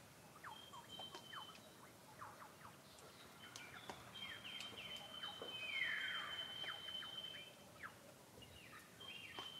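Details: Several male superb lyrebirds near and far singing on a wintry dawn in mountain forest with tree ferns, Gippsland, Australia: varied whistles, sharp downward chips and a long sustained high tone, with dripping icy water clicking.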